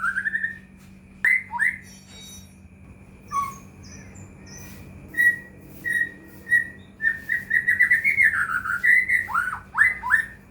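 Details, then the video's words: White-rumped shama lure song for caged birds that stay silent: a sparse opening of single whistles and slurs, building into a dense, fast sequence of bright whistled notes ending in falling slurs, over a steady hum. "murai batu gacor AMPUH buat PANCINGAN murai batu agar bunyi"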